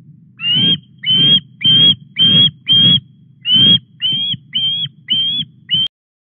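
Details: Osprey at a Welsh nest on Llyn Clywedog, 17 August at 19:24, as a fish arrives for the young bird; loud, even, high whistled calls repeated almost twice a second, ten in a row, ending abruptly.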